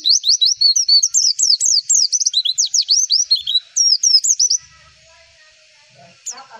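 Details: White-eye singing a quick stream of high, sweet, downward-slurred chirps for about four and a half seconds, meant as training song to prompt other white-eyes to respond; then near silence with a single faint chirp at the end.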